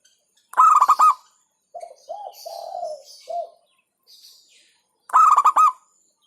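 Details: Local zebra dove delivering its hentakan song, said to stir rival birds: two short bursts of fast, pulsing coos, separated by softer, lower, drawn-out cooing notes and faint high chirps.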